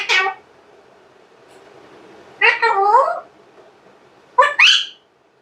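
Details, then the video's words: Pet Alexandrine parakeet indoors imitating speech, said to say "Allah hu Akbar", a moody bird that falls silent when recorded; three short harmonic, word-like phrases, rising and falling, spaced about two seconds apart over faint room noise. "parrot says Allah hu Akbar"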